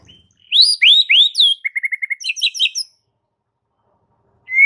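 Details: White-rumped shama song used as a master recording to prompt a silent bird to sing: whistled rising and falling phrases, then a rapid series of short even notes and high twittering trills, clean and isolated.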